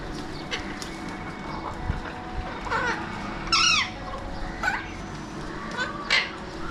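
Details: Alexandrine parakeets (pahadi parrots) calling near a window in Mumbai, India: several harsh, ringing squawks with down-curving arched notes, the loudest around mid-clip, spaced one to two seconds apart over constant city background noise.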